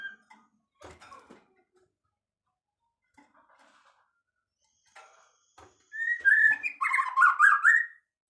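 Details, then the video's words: White-rumped shama isian song: after scattered soft clicks and faint notes, a burst of loud, varied whistled phrases sweeps up and down, then stops abruptly. "relaxing Bird sounds isian murai batu"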